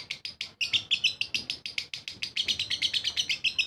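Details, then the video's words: Lovebird ngekek song: a rapid chattering run of sharp, high chirps packed close together, each note bursting quickly and the string rolling on steadily for the whole stretch. "Lovebird RAJA ngekek istimewa"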